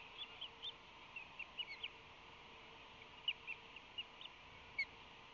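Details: Ospreys at a nest on San Francisco Bay on May 25, 2021, on a calm morning as both adults fly in to three nestlings aged 23, 21.5 and 19 days; short, sharp, high chirps come in uneven bursts over a steady hiss.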